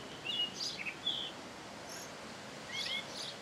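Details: A thrush at its usual singing hour gives a few brief high whistles and chirpy notes early on, then a short pause before two more whistled notes, against faint outdoor hiss.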